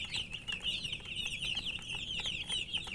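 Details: Thirsty coloured chicks chirping for water: a steady, dense stream of high, thin peeps from many baby chickens at once, with light tapping in the background.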